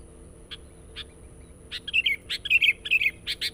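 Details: Sooty-headed bulbul lure song, recorded to attract wild birds: a few isolated chirps, then a quickening run of bright, warbling double notes. A steady high whine runs throughout.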